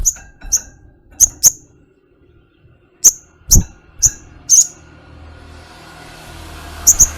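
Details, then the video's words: Ruby-cheeked sunbird (sogok ontong) giving sharp, very high, clipped chirps, singly or in quick pairs at irregular intervals, with a faint low hum and background hiss. "Enchanting Sounds Tropical Bird Calls to Relax honey bird sogokontong"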